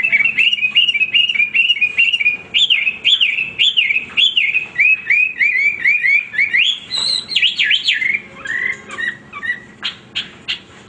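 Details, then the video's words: Hwamei singing without pause: a string of clear whistled notes that dip and rise, repeated in quick series, then louder looping, sliding whistles and a few sharp clicks at the end. "wambi gacor berkicau tanpa henti"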